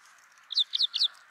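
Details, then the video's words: A brown rock chat (Indian chat, Oenanthe fusca) sings three quick, high, sweet whistled notes in about half a second, each falling slightly, over a steady low background hum. "Brown Rock Chat Song! Brown Rock Chat Call! Brown Rock Chat Sounds! Indian Chat Song!"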